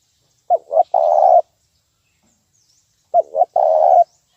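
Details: Clean spotted dove lure call in the 'nguku' style, meant to train birds: two phrases, each a short double coo followed by a long, even coo, separated by silence.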